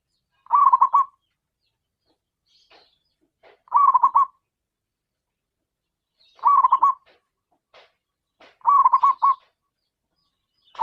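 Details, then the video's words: Local zebra dove with a strong voice calling: short bursts of quick, rolling coo notes, repeated about every two to three seconds in a quiet setting, with faint clicks between phrases. "perkutut lokal suara besar memanggil"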